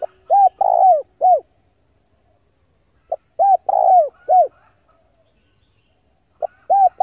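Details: Clean recording of a male spotted dove, used to attract wild doves: three repeated phrases of mellow coos, each a short note, a rounded coo, a long vibrating coo sliding down, then a last falling coo, in silence between.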